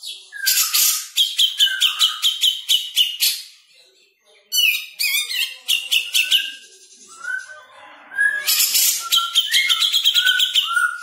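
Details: Jenggot bird, known in English as grey-cheeked bulbul, singing in a fast, dense style: rapid bursts of high chattering notes, each burst ending in lower slurred whistles. Short pauses separate the bursts, and the second burst is brief.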